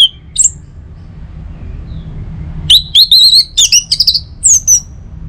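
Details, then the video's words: Orange-headed thrush song played in the morning to prompt other birds to sing. A few high whistled notes, a pause, then a fast run of clear, slurred whistles and sharp chips over a low background hum. "Saatnya Buat ANIS MERAH NGEPLONG Gacor dirumah. Pancing dengan suara burung ini baik pagi hari."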